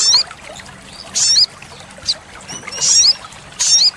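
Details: Olive-backed sunbird (sogok ontong, sogon) in lively song for training caged birds: short bursts of very high, thin twittering with upslurred sweeps, each separated by pauses of about a second.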